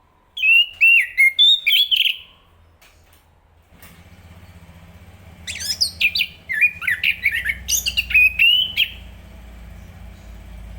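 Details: Enggano thrush singing two bursts of rapid, varied whistled and slurred notes, the first at the start and the second mid-clip, separated by a pause; a motorcycle engine rumbles through the second half.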